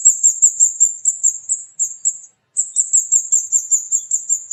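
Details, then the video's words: Flowerpecker called kemade, a small songbird with a strong voice, from villages with many mango trees: continuous rapid strings of thin, high 'cit cit' notes, broken by one short silence midway. "Burung Kemade Gacor Cit Cit"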